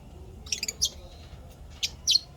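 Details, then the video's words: Cheerful lovebird chirps: a quick stuttering burst of high twittering notes, then a few louder sharp chirps in close succession. "lovebirds chirping sounds happy"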